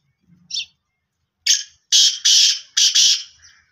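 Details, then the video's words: A Sindhi black francolin, prepared as a calling bird, gives one short note, then a quick run of five harsh, grating, rasping notes in a broken rhythm over about two seconds. "black francolin Kala teetar ki awaz کالے تیتر کی اواز"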